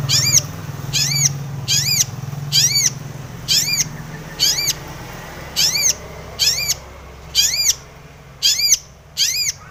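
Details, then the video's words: Long-tailed shrike sound played as a lure to make other shrikes sing: a loud, rich, arched nasal note repeated roughly once per second, each call evenly spaced, over a steady low hum. "SUARA cendet gacor full isian pancingan cendet agar bunyi"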